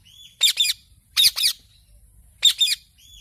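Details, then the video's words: Pet parrot, apparently a ringneck, uttering three short paired bursts of harsh, high chirps, each pair about a second apart, in an otherwise quiet setting. "Parrot Talking Chirping Sounds"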